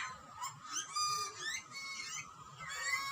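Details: A hungry wild Australian butcherbird chick, fed by its parents, gives harsh, nasal, rasping screams, several overlapping squalls in quick succession with no pause, begging insistently for food.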